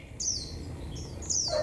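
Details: On a cold day of 11 °C, a Japanese white-eye sings 'họa kép' style song with 'líu thung' passages: high, clear descending whistled sweeps twice, separated by a short mid note, ending on a lower tone; low rumble underneath.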